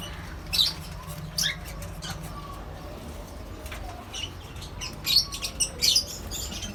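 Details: Lovebirds, cockatiels and budgerigars kept together as a colony give short high chirps and squeaks, single at first, then a cluster of quick overlapping notes near the end, with a constant low mechanical hum underneath.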